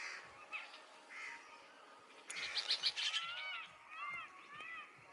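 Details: Indian green parrot uttering a run of loud, grating screeches in the middle, then arched, squealing notes repeated several times near the end, with faint chirps from other birds in the background.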